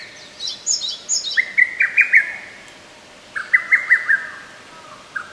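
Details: Lesser cuckoo song from a forest park, 15 May 2024: quick staccato note sequences repeated twice, preceded by higher thin chirps from another bird, with light ambient hiss.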